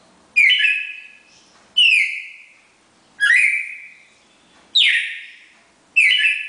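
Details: Red-crested cardinals singing as a pair in the classic Bagé style, five ringing whistled notes with rich overtones, each dropping and fading, evenly spaced about 1.4 seconds apart.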